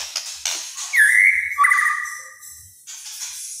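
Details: White-rumped shama giving kretekan-style song that reportedly agitates other shamas: a single long, clear whistled phrase dropping into a wavering rattle, with soft clicks and ticks before and after.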